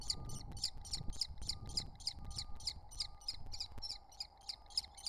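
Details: Common kestrel chicks, three wild nestlings sitting at their nest entrance, repeat thin, sharp, high chips roughly every quarter second in an even series, with a low background hum.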